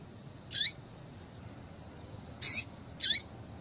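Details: Female double-collared seedeater calls that stir males: three brief, shrill, high-pitched chirps, the first and last with a falling tail, separated by pauses, against a soft hiss.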